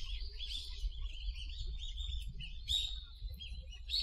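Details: Wild bird recorded in a park gives a run of high, thin chirps and twittering notes, with a louder bright phrase near the end, over a steady low rumble of background noise.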